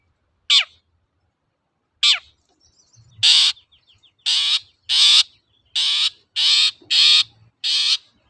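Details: Long-tailed shrike lure song for training birds: two sharp falling squeaks, then a series of seven loud, harsh, buzzy rasping bursts repeated roughly every half to one second.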